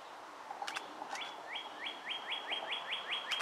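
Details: Two juvenile Bald Eagles in a nest at Fort Hunt, doing well on 23 May 2015, giving a rapid series of thin, high piping notes, each a short upward-flicked whistle, around four per second, with outdoor background hiss.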